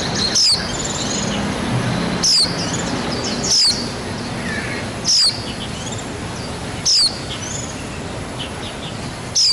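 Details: A wild white-eye, likely tending its young until they can fly, repeats single thin, high, downward-slurred notes every one to two seconds over a steady background hiss.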